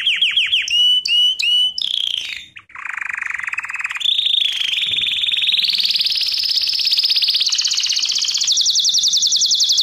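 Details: Canary singing in a training lesson: opening whistled sweeps, a dip into a low rolling trill, then long rapid trills stepping upward in pitch, continuous and loud.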